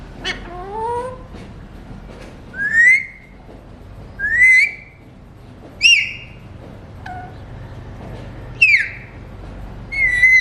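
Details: Alexandrine parakeet, a talking mutation bird, repeating a sharp upward-sweeping whistle roughly every one and a half seconds, with a lower wavering phrase at the start and a steady hum beneath.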